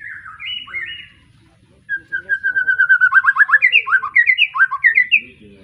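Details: Young white-rumped shama fresh out of juvenile plumage, Arko bloodline, Pemalang, Indonesia: a few whistled phrases, a brief pause, then a fast stuttering trill of repeated notes building into loud rolling, swooping whistled phrases.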